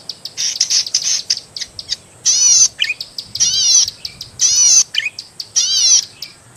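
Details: Master recording of a zitting cisticola, locally cici padi, for training songbirds: a run of quick high chirps, then four loud buzzy harmonic phrases about a second apart, each followed by a brief twittered note.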